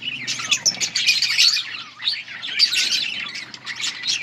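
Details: Budgie colony chatter during feeding, bright chirps and whistled squeaks tumbling over each other, with a faint low hum underneath.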